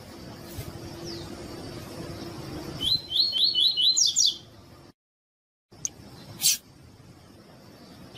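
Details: Captive double-collared seedeater song played to warm up and stimulate other captive birds: after background hiss, a fast run of repeated buzzy, rising notes, with a few sharp clicks before and after a short silence.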